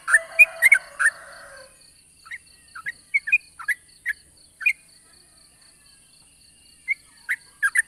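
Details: Yellow-vented bulbul, long 'ropel' morning song used to draw other bulbuls into singing: a dense burst of bubbly notes over a brief murmur, then scattered single chirps at uneven intervals against a faint high whine.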